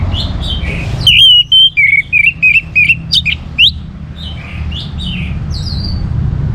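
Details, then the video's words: Orange-headed thrush singing to get other birds singing: a long run of loud whistled notes that dips lower, then climbs into sharp upslurs, trailing into softer warbles. "ANIS MERAH Gacor Untuk Memancing Burung Jadi NGeplong Bahkan Teler"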